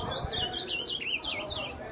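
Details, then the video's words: Ultramarine grosbeak song: a quick phrase of sweet, warbled whistles that waver up and down at a fairly high pitch, set against a steady low background hiss. "AZULÃO MAIS LINDO DO BRASIL ESSE CANTO TOP DOS TOP"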